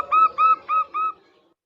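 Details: Local zebra dove song used as a lure to get caged birds singing: four clear whistled notes with slight upward bends, spaced about a quarter second apart, then silence.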